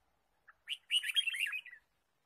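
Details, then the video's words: Red-whiskered bulbul chirping in the wild forest, bird trapping, 23 March 2017: a lone soft note, then a loud, fast tumbling phrase of warbled whistles about a second long, clean quiet background. "Red-whiskered bulbul Chirping"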